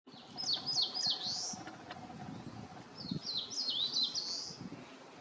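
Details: Eastern crowned warbler singing high in tall trees, heard from many directions but hard to see: two phrases of quick, sharp, downslurred whistled notes, each ending in a buzzy rising flourish, with faint low background rumble.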